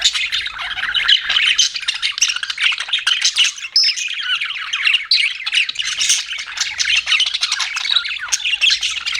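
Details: Budgies kept as pets keep up a constant busy chatter of raspy squawks and quick high chirps, several voices overlapping throughout.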